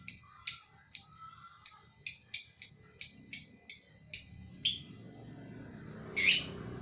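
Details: Lovebird in 'ngekek' song: a steady string of sharp, high, clipped chirps about three a second, over a low rumbling background, ending with one louder harsh note.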